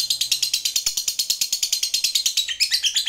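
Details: Lovebird of the fighter type delivering its long chattering ngekek, used as a lure to make mute or stammering lovebirds sing: a fast, even, high-pitched rattle of about seven notes a second, becoming more jumbled at the end.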